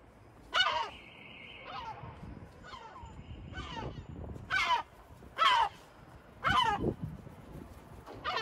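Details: Sea gull in Batumi, Georgia, giving irregular harsh squawking calls, some louder and closer, over a low background rumble with a faint steady tone early on.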